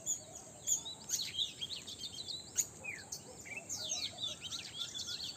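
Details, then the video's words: Birds chirping in the early morning, a dense overlapping chorus of high, quick twittering notes and short sweeping whistles, several voices at once, with a faint steady background hiss. "Sweet Bird Chirping in Early Morning पक्ष्यांचा गोड आवाज"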